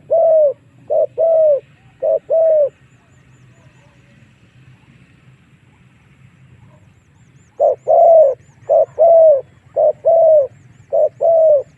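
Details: Spotted dove lure call for drawing wild doves into fighting. Two paired coo phrases, several seconds of near silence with a low hum, then four more short-and-long coo pairs.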